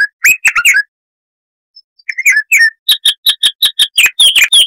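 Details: Chestnut-vented warbler, a South African bush bird with a voice loud for its size, giving scattered warbled notes, then a steady run of sharp repeated chips quickening into mixed whistles.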